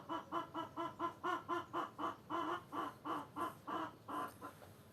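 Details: Clucking hens give a quick series of short, throaty notes, several per second, getting slightly louder and then trailing off raggedly toward the end.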